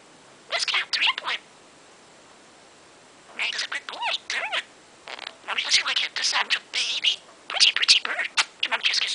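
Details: Budgerigar kept indoors, chattering nonstop in the morning after hearing music: quiet start, then bursts of thin, scratchy speech-like syllables that grow longer and denser toward the end, with few gaps.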